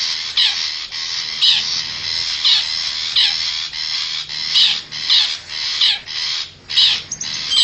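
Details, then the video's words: Lure call of the long-tailed shrike, meant to bring wild forest birds close. Rasping, noisy notes come in a choppy series with uneven spacing and a few sharp clicks. "suara pikat burung cendet hutan"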